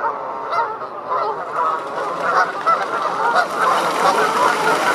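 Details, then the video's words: Several Canada geese honk in a continuous, irregular chorus of loud nasal two-part calls, advertising and defending territories, in flight and just before taking off. "Canada Geese Honking - Defending Territories and Before and During Flight"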